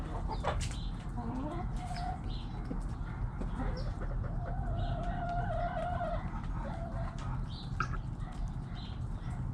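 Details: Backyard hens and roosters making noise: a drawn-out crow runs for several seconds amid scattered clucks and short squawks, over a constant low rumbling background with faint chirps of small birds.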